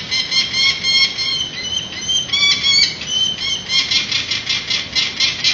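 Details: Peregrine falcon parents flying to and from a San Francisco nest ledge on 19 April 2018, right after banding of three young, webcam recording; squealing wails with harmonics followed by a quick run of harsh cack notes.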